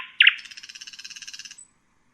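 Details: Common nightingale (Luscinia megarhynchos) giving a short song phrase: a few loud sharp notes, then a rapid buzzy rattle of evenly repeated pulses lasting about a second before stopping abruptly; no other sounds.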